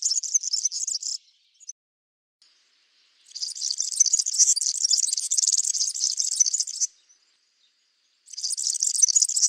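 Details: European serin in a backyard where it feeds on Brassica oleracea seeds, singing high, rapid, jingling buzzy twitters: a one-second burst, a long phrase of about three and a half seconds, then another burst starting.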